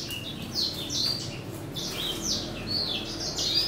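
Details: Hybrid of a male grey singing finch and a female black-throated canary, in breeding season, singing a continuous high twittering warble of quick chirps, trills and thin whistled notes over a faint background hum.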